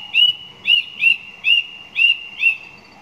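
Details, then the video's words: A song thrush repeats one short, clear, upslurred whistle six times in quick succession, about two per second, over a quiet background. "Song Thrush"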